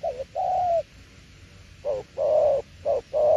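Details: Spotted dove cooing in the style called "tiểu liên nước": low, mellow coos in short-then-long pairs, the long note drawn out and slightly falling, with a pause between phrases.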